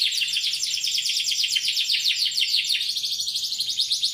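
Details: Newly acquired canary singing loudly, a dense continuous stream of rapid high trills and rolling chattering notes, strong and unbroken throughout; described as suitable as a tutor song for training other songbirds.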